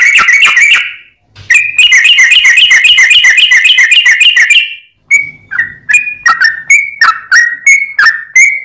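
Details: Sooty-headed bulbul song used as a lure to attract birds. Loud, rapid bursts of ringing, repeated notes run for several seconds, pause, then give way to separate short, sharp phrases repeated about every half second.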